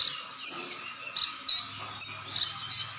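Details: Brown-throated ninja hummingbird in full song with varied phrases; bright high chirps repeated roughly every third of a second, each a short sharp burst over a steady high ringing background.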